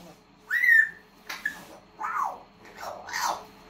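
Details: A pet grey parrot that repeats words gives four clear, slurred whistles about a second apart, some rising then falling, in a quiet room.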